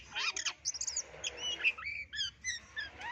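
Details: White-footed Oriental magpie-robin from West Sumatra singing a varied phrase of bright whistled notes, quick chirps and short rising and falling slurs, some notes high and buzzy, with brief pauses between bursts.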